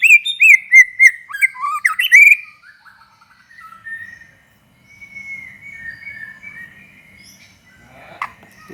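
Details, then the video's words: White-rumped shama song meant to spur other shamas into singing: a fast sequence of whistled and chattering notes for two seconds, followed by a quiet, thin sustained warble. "SUARA BURUNG MURAI BATU GACOR INI"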